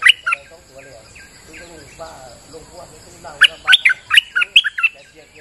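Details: Bulbul singing actively in rainy weather as a lure sound: two opening chirps, softer warbling from other birds, then a fast burst of bright, bubbly whistled notes.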